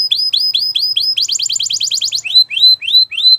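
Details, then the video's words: Song of a Gloster canary, a series of bright upslurred whistles, a fast even trill, then louder rising whistled notes spaced about every quarter second. "Gloster Canary Singing !! Canary Bird Song"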